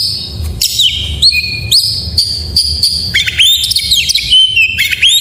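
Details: Full isian song of an Oriental magpie-robin, played so other magpie-robins start singing: pure held whistles that step down in pitch, then a lively run of looping, twisting notes and sharp chips, with faint low hum.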